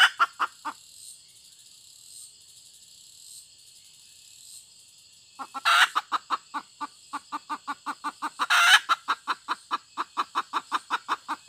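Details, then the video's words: A hen clucks briefly, falls quiet for several seconds, then resumes rapid, evenly spaced clucks. Two loud, rough squawks stand out over the rhythm. "suab poj qaib tsauj seev dib tuaj zoo tshaj 2021"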